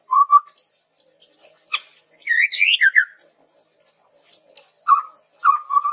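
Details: Chestnut-rumped babbler singing energetically as a lure for training birds, alternating low wavering whistles with a click-led burst of high rising and falling whistled notes, ending in repeated low whistles.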